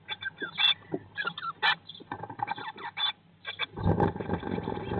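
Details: Eurasian blue tit in a nest box, day 19 after hatching, May 2022 brood: short high chirps in quick irregular bursts, mixed with scraping and rustling inside the box and a louder shuffling noise near the end.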